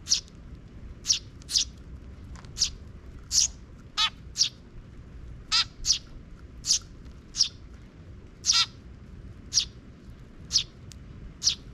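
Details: Sparrows in a park, 12 June 2023, a young chick following the scouting parent; a steady run of piercing chirps, some with a descending buzzy tail, roughly two per second.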